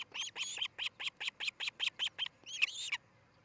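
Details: Osprey calling at its nest in Charlo, Montana, captured by a nest cam early on July 13, 2018: a clear, loud series of about a dozen piercing, whistled chirps in quick succession, ending in a longer, harsher note.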